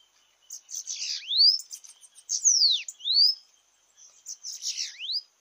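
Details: Sibite, the Bananaquit, singing in a campiada contest. Three high buzzy phrases are each capped by a sharp upward-sweeping whistle, with short gaps between them.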